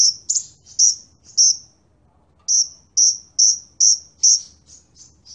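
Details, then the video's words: Sunbird singing energetically. Bright, high-pitched chip notes come about two per second, with a brief silent gap partway through and a few softer notes at the end. "KOLIBRI NINJA VS KOLIBRI WULUNG SUPER GACOR"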